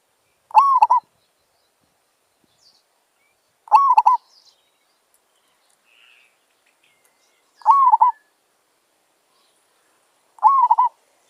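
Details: Merbok, or zebra dove, a wild forest bird drawn in by a lure: four rolling coo phrases roughly three seconds apart, each a rising slur then rapid staccato notes, with faint soft chirps between phrases.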